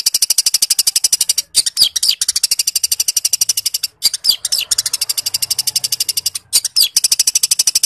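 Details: Excited Long-tailed shrike in fighting song with sparrow mimicry: continuous rapid-fire shrill chattering, high and dense, interrupted only by a couple of momentary gaps.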